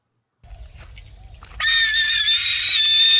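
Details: Harris's hawk, a call given in flight or from a perch; after a quiet start, a long, harsh, rasping scream begins and holds steady at a high pitch, unmusical and grating.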